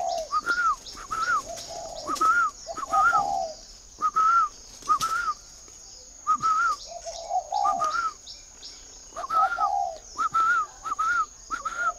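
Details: Spotted dove in a northern Vietnamese dove garden at Ba Vì, Hanoi, cooing steadily: paired short higher notes and lower slurred coos recurring roughly every second, around a dozen phrases, with a constant thin whine behind.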